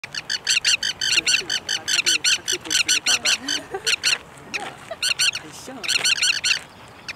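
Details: Two Forster's terns calling on the shore beside a trail at Shoreline Lake, giving harsh, rasping notes in fast runs of about five or six a second, broken by short pauses, over a faint low hum.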